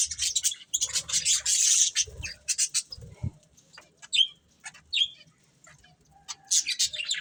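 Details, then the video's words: Budgie breeding pair with sparser chatter: an opening run of dense high twittering, then scattered clicks, short sharp chirps and squeaky notes, and a final burst of warbling. "Colourful Budgies Chirping Sounds"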